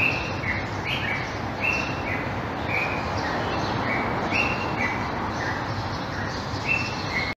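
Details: Common Bulbul, also called Egyptian Bulbul, gives clear whistled notes in short phrases that recur about once a second, with slurred drops between notes, against constant broadband background noise.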